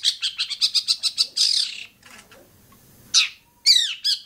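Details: Long-tailed shrike song recorded at Bobotsari: a quick stuttering series of about ten harsh chattering notes running into a rasp, a pause, then a loud squawk and a few rapid downslurred whistles.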